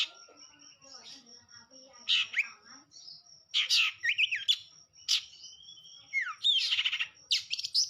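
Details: Varied, energetic long-tailed shrike song mixing harsh rasping notes, rising and falling whistles and rapid chattering trills, with quiet gaps between phrases and a constant faint high whine in the background.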